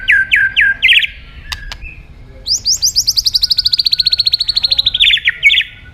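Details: White-rumped shama song used to make other birds sing: a few sharp downslurred whistles, clicks, then a long fast rattling trill of high notes that slowly falls in pitch, closing with brief chattered phrases.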